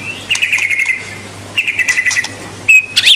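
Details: White-rumped shama song for stimulating juvenile birds: two stretches of fast buzzy trilled notes held at one pitch, separated by a pause, ending with sharp high chirps; faint hum beneath.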